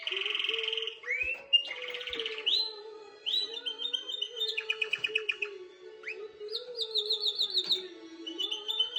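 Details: Canary singing to prepare a female for mating; rapid rolling trills and buzzy repeated notes that change pitch from phrase to phrase, over a steady low droning tone.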